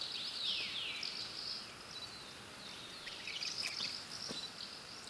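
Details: Asian house martin calls recorded on a Canon EOS 7D: a quick run of high, thin chirps and twittering notes, some sliding down, set over steady hiss.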